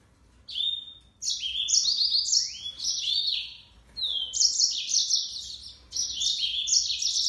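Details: Song of a yellow-fronted canary, a fast run of sweet high twittering notes and descending slurs, broken into several bursts with brief gaps between them.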